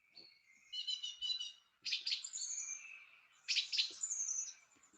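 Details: A song thrush, a loud early-year singer that sings from high perches, gives loud, bright, high-pitched varied phrases, repeating each two or three times before switching to a new one; a chaffinch is audible in the background.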